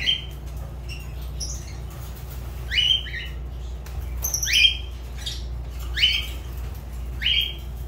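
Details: Fischer's lovebird kept as a pet repeating sharp, rising shrill squeaks roughly every second or so, each followed by a harsher note, over a faint continuous low hum.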